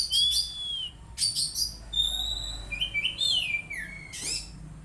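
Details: Loud Oriental magpie-robin song, played as therapy for untrained birds: sharp harsh bursts, a rising whistle, and a cascade of descending slurred notes.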